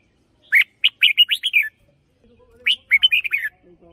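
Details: Red-whiskered bulbul in a cage, sung as a decoy for hunting, gives two lively phrases of several quick whistled notes, the second a near repeat, with a soft low tone between them.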